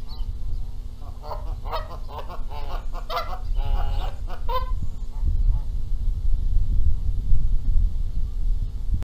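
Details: Canada geese at a nest at Rogers Place, Charlo, Montana, on April 14, 2022, squabbling over who gets to sit on the eggs while the gander flies in noisily; a burst of harsh, stacked honks fills the first half, then low rumbling background.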